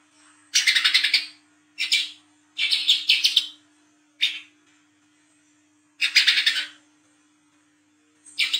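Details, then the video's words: A 'wiceh trotol' sunbird singing the 'ngriwik' chatter at night, used to draw young coconut sunbirds: repeated stuttering rattles of fast high notes, each burst under a second, with brief single chips between. "KOLIBRI KELAPA WICEH TROTOL GACOR NGRIWIK NGLAGU MENTAL JAHAT/PANCINGAN KOLAP"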